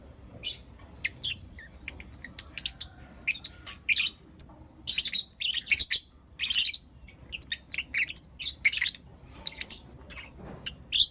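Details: Lovebirds in blue opaline and lutino opaline forms chirping in the morning, a long run of sharp high squeaky chirps and call notes, irregular and busy, some overlapping, with a quiet background.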